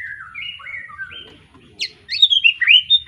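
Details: Newly moulted juvenile White-rumped shama from Pemalang, Tangerang bloodline, giving descending whistled phrases that break into loud, sharp, rapidly repeated upslurred notes.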